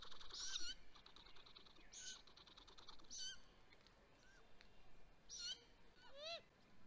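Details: At a great grey owl nest, May 12, 2020, with the male delivering prey: rough hissing screeches recur every second or so, ending in one rising slurred whistle, over faint background hiss.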